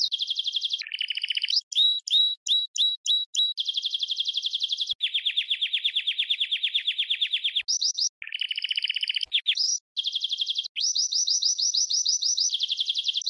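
Red canary singing long, rapid trills and rolling tours, fast buzzy runs alternating with sharp chirps and whistled notes, nearly continuous throughout.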